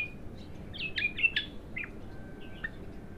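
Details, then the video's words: Raw, untrained abtar bulbul in its first singing session gives scattered short whistled chirps, some sharply falling, with gaps between them, over a soft continuous low hum. "تغريد الابتر"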